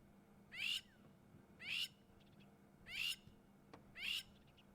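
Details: Crowned Lapwing on a South African safari site, unhappy with nearby people, gives a distress call for its hiding chicks: four loud, harsh, strident calls about once every 1.2 seconds, each a short grating burst, over faint hum.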